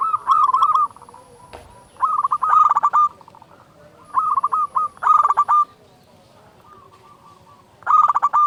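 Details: Vigorous local zebra dove song, recorded as a lure to provoke other doves into singing: clipped bursts of rapid, rolling coos at an even pitch, with gaps of quiet between phrases and a final burst at the end.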